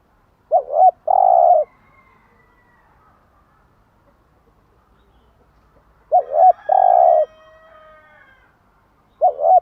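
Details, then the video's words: Spotted dove cooing in the morning, meant to stimulate caged doves: double-note opening and a long low coo, repeated about every five seconds, with faint higher bird chirps in the background. "Tiếng chim gáy bài bản gáy buổi sáng"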